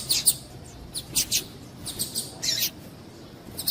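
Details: Female double-collared seedeater calling to stir up males for singing contests: scattered short, high, thin chirps, some paired, at uneven gaps, with faint background hiss.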